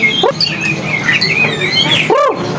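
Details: Captive White-rumped shama (Copsychus malabaricus) at a bird market in Jakarta sings a rich, quickly varied run of clear whistles and chirps, with market chatter and possibly other caged birds behind it.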